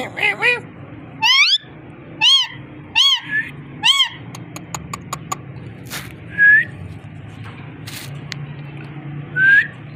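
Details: Parrot whistling: a run of five or six looping, wavering whistled notes in quick succession, then sharp clicks and two separate rising whistles, over a steady low hum.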